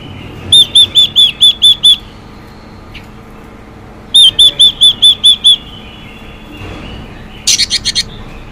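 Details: Female Chinese hwamei singing to stimulate males: two bursts of seven clear, evenly spaced whistled notes repeated rapidly, then a short harsher series of four notes near the end.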